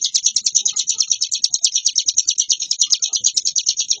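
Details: Hill prinia, called ciblek gunung, singing in the ngebren style: a nonstop, varied stream of rapid, high, sharp chirping notes, densely repeated with no pauses.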